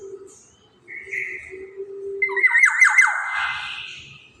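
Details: Actively singing black-naped oriole used to lure other birds: a low steady hum and short buzzy note lead into loud harsh, grating squawks with stuttered rasping bursts.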